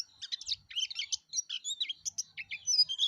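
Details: Gacor song of a yellow-breasted white-eye, locally pleci dada kuning: quick bursts of high twittered notes and short rising-falling whistles, briefly paused, then resuming.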